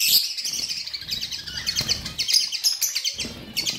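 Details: Continuous budgie chirping: rapid, twittering high notes and buzzy chatter without pause, with a soft low rumble in the background.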